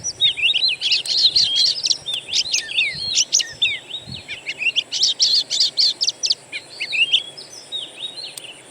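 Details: Natural bird song used to stimulate a caged Oriental magpie-robin to sing. Bursts of rapid, high, slurred chirps and whistled notes come in quick clusters with brief gaps, and a few soft low knocks are heard.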